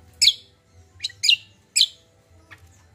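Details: Common iora, a recording for drawing song from captive birds: four loud sharp chirps spaced about half a second apart, each a quick downward-sweeping note, followed by a faint fifth note and steady low hum.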